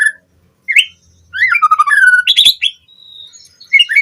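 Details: Captive-training lure of White-rumped shama singing. A few scattered high notes give way to fluid, looping whistled phrases, a harsh squeaky burst and then twittering notes. The recording is clean, with no other sounds.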